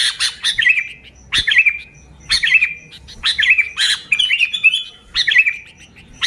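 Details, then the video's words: Lively sooty-headed bulbul, original song without fill-in phrases, played to lure bulbuls; liquid, bubbling phrases about once a second, each introduced by a brief sharp tick. "Suara Burung Kutilang Gacor ASLI Tanpa isian, Ampuh untuk Pikat Kutilang bikin kutilang Ribut gacor"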